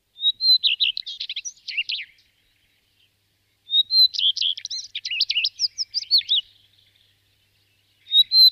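A common redstart sings short phrases that open on a clear, high held note and break into a quick, varied jumble of twittering notes, repeated every few seconds.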